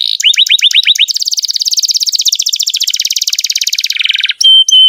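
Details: Canary song used as a master tutor for young canaries and birds that have stopped singing: loud, fast high trills, first falling swooping notes, then a long rapid rolling trill, ending with sharp whistled notes.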